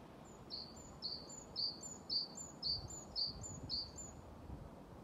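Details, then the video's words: Great tit song recorded 28 February 2024 around Ryggisspåret, Haga, with many great tits about: a loud, clean series of eight paired notes, a high thin tone dropping to a stronger lower one, about two phrases per second. "Talgoxe spel/sång"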